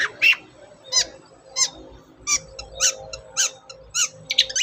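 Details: Long-tailed shrike lure song, recorded in a small room: short squeaky chirps repeated roughly every half second, each a quick downward-sliding note, with faint room noise behind.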